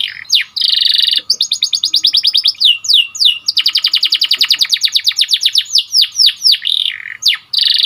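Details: White domestic canary singing, used as training song to make canaries sing more, with fast buzzy high trills, rapid repeated chirp series and downward-sweeping whistled notes, loud and continuous without pause.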